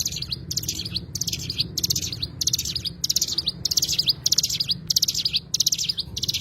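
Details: Oriental white-eye, called cigun, twitters in closely spaced high bursts of rapid chirps, nine or so in six seconds, steady and insistent, with low-frequency background murmur.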